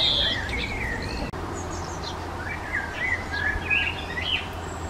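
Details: In a garden, a Hawfinch gives soft, thin chirps and short rising notes at irregular intervals, over a low steady rumble.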